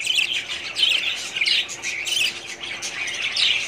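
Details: Budgerigars in a breeding colony, 2017: rapid rising and falling warbled chirps from several birds, calls tumbling over each other at roughly one and a half per second.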